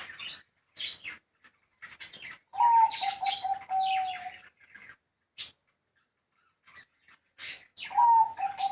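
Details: Small-voiced zebra dove from Bayo, Yala province: a rapid, rolling, pulsed trill in two bouts of about a second and a half, steady in pitch after a brief higher start, amid many chirps from other birds.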